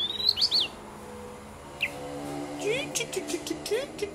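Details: Pet white-rumped shama giving rich, varied whistled phrases and quick upslurred notes with some scratchy bursts while playing with its owner, over a steady low hum and faint background voices.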